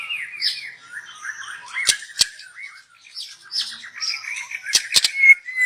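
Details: Young forest white-rumped shama song used as a lure: rapid rambling warble of slurred notes at mid pitch, with a few sharp clicks in the middle and near the end.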